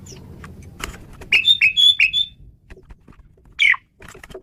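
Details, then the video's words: Male Asian pied starling, played as a lure for training birds, gives a run of short loud whistled and chattering notes around mid-high pitch, then a burst of harsh chatter after a brief pause. "JALAK SUREN JANTAN GACOR BERVAREASI"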